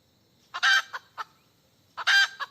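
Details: Hen cackling in search of a mate, giving two loud, drawn-out harsh squawks about one and a half seconds apart, each framed by short clucks; otherwise quiet.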